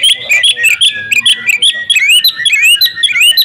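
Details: A female Oriental magpie-robin calling for the male: busy, overlapping whistles and chirps, with upslurred and downslurred notes tumbling rapidly over the whole short stretch.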